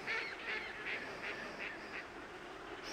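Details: Baikal teal at Harasaki pond, 30 December 2010; a series of soft, clucking calls repeated about every 0.4 seconds, overlapping as from several birds, over steady background noise.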